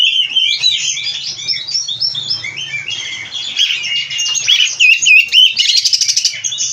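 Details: Oriental magpie-robin in captivity singing a crowded medley of quick downslurred whistles, twittering runs and bright curled notes, closing with a loud scratchy trill; faint low hum in the background.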